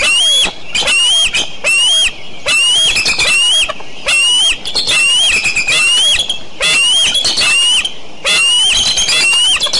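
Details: Eagle at Decorah on the morning of June 29, 2012 giving a long run of loud, shrill squealing calls, each harsh note bending slightly upward then dropping, repeated in tight bursts with short gaps, backed by faint steady hiss.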